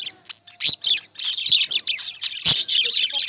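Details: Lovebirds chirping: shrill, high-pitched chatter in short bursts, with sharp clicks and brief pauses between dense squeaky notes.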